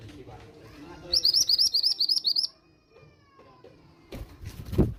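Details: Calling female mountain bushchat, a lure meant to make young males answer and sing: a fast series of high, thin chirps lasting over a second, preceded by low background rumble and followed by knocks and handling noise.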